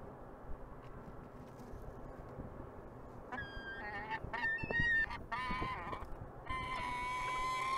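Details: Peregrine falcon in the city of Montreal, Canada, gives a burst of short, harsh, ringing notes, then a longer drawn-out wail, heard against a background of constant low urban noise.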